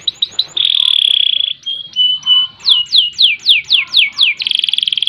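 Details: Canary singing in ngerek, ngerol and nembak style: quick chips, a buzzy roll, level whistles, then a run of loud downslurred sweeping notes ending in a dense buzzy trill.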